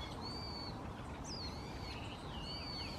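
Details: Brown-headed thrush, species uncertain, calling in January 2015, possibly as a territorial declaration: a short run of thin, high whistles, one sharply falling then wavering, others level or dipping, heard faintly over constant low-pitched background hiss.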